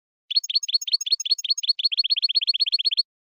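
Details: European goldfinch twittering in the betbeta style, used to stimulate a caged royal goldfinch: a very even, rapid train of identical bright chirps, about six per second, slightly quickening.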